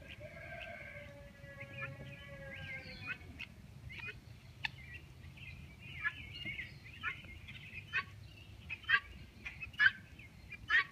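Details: A male African (helmeted) guineafowl, raised and bred for tick control on a Northeastern US property, gives harsh, scratchy calls in quick, uneven bursts over a low background rumble; these birds are described as very noisy with distinctive sounds.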